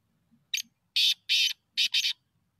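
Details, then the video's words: Black francolin, used for hunting, calling in a harsh, scratchy phrase of five bursts: one thin note, a loud pair, a pause, then another loud pair. "Black teetar beaitiful voice"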